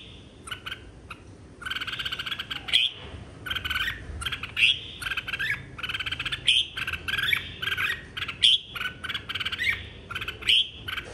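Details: Red-whiskered bulbul in a 2023 singing contest, song meant to call the flock: a rapid series of chattering, warbled phrases with sharp whistled notes about every second, over a constant low rumble.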